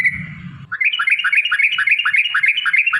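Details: Sooty-headed bulbul in a rapid chattering 'ropel' burst: a brief buzzy note, then a quick, even string of bubbly whistled notes roughly five per second, over a quiet background.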